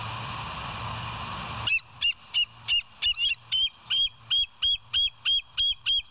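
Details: Bald eagle at the West End nest on a live nature cam, 07/09/2023 at 06:24: after quiet hum, a series of high, sharp chirping notes starts, repeated about every third of a second, about thirteen in a row.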